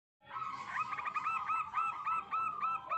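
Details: Local wild zebra dove singing vigorously, used as a lure to attract wild doves: a fast series of short hooked coos, evenly repeated for nearly three seconds after a brief silent start.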